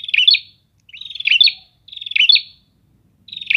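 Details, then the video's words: Prinias answering one another: four quick buzzy phrases, each a fast ticking trill that turns into squeaky accented notes, spaced evenly about a second apart, in a quiet background. "Suara Ocehan Burung Prenjak"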